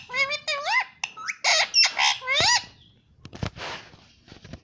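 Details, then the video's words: A pet rose-ringed parakeet talking, giving a run of harmonic, speech-like squawky syllables with rising and falling tones, then quieter clicks and rustling noises. "talking parrot mummy papa || bolne wala tota"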